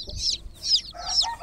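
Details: Three loud, high, drawn-out peeps from groggy chicken chicks in a water pool, each slightly falling in pitch, over a quiet background.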